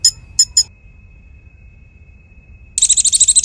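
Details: Konin (Bar-winged Prinia), a tutor bird for magpie-robins and competition birds: three sharp high chips, a pause, then a dense rattling trill.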